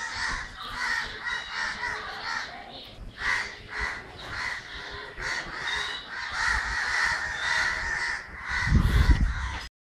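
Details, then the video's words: Crows in Kerala, 9 December 2012, a raucous mass of caws with pulsing bursts, ending in a low rumbling knock. "Crows making horrible sounds"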